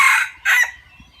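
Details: Fragment of a decoy junglefowl's crow, a fowl admired for its good voice: a harsh strained note, a short gap, then a second shorter burst that fades away.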